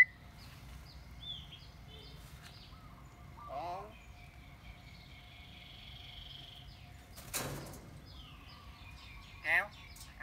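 A pet myna produces a few short, voice-like utterances with sliding, speech-like pitch, spaced several seconds apart, with a sharp clatter and faint background hum between them.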